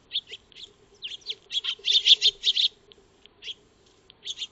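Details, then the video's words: Eurasian tree sparrows feeding in a backyard, filmed with a solar-powered wildlife camera: a quick busy run of high chattering chirps building to a dense burst, then a pause and a few scattered notes; faint low hum beneath. "Eurasian Tree Sparrow (Maya Birds) Feeding"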